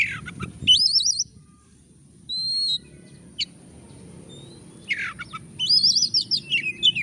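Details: Oriental magpie-robin in full song, played as a lure to get lazy birds singing. Loud wavering whistled trills open and close the passage, with a brief pure whistle and a sharp chip between, and a steady high tone throughout.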